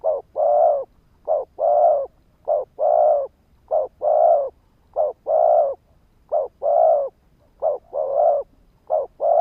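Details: Decoy spotted dove calling to lure and provoke males: a steady run of eight soft phrases, each a brief coo then a drawn-out hollow one, evenly spaced about every 1.2 seconds, no other sounds.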